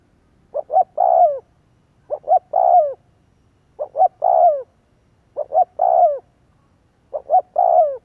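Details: Spotted dove lure recording used to make doves coo: five evenly spaced coo phrases, each two short hoots followed by a longer, drawn-out descending note, repeating about every 1.6 seconds over a quiet background.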